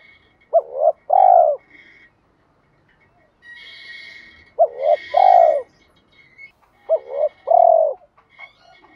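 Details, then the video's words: Decoy spotted dove calling to stimulate wild doves: three deep cooing phrases about three seconds apart, each a quick two-part note then a longer coo, with a faint high steady tone and a soft rustle between. "chim cu mồi gáy gọi và tiếng thúc giúp bổi nhanh nổi"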